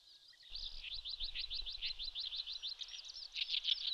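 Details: Eurasian skylark song in May on a Shin'etsu riverbed, Japan: a fast run of sharp, evenly spaced chirped notes, roughly three per second, rising into a denser warbling burst at the end, over a soft low rumble.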